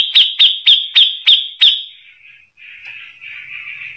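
Grey-cheeked Bulbul giving six loud, clear whistled notes in quick succession, about three per second, then a softer, scratchy warbling trail.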